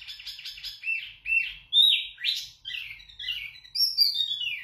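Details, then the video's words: Zebra finch (wambi mini) giving loud, clear song for tutoring: a jumble of nasal buzzy notes and sweeping slurred whistles that rise and fall, phrases tumbling quickly one after another. "Wambi Mini Gacor Lantang Suara Jernih Untuk Masteran"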